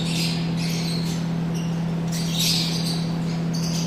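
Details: Captive yellow-collared (masked) lovebirds (Agapornis personatus), offered for sale, give harsh, high, squeaky chattering in irregular bursts of about half a second, over a steady low electrical hum.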